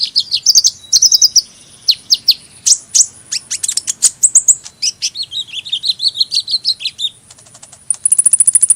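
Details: Long hummingbird sequence of thin squeaky notes and fast chip series, then a buzzy high warble, a quieter stretch, and a closing rapid trill of very high ticks.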